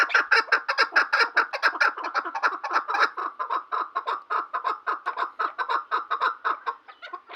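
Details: Chukar partridge calling with loud, evenly spaced chucking notes in a fast rhythmic series that gradually slows and fades.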